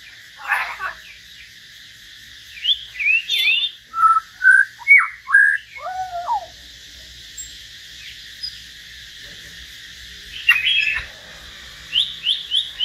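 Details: Common hill myna in a solo singing exchange with a white-rumped shama: a burst of varied whistles, downslurs and hooked notes, a long quiet gap, then quick high chirps near the end.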